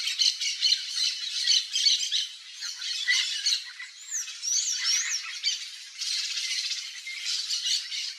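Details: Yellow-faced parrot calling in the wild in Brazil, rough rasping squawks in clustered bursts, with several thin, high looping whistles from another bird overlapping midway.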